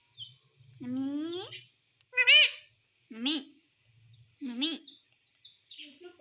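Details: Parrot talking in a series of separate speech-like phrases, each a low voiced sound sweeping upward into a harsh high burst, spaced roughly a second apart, with faint low hum between.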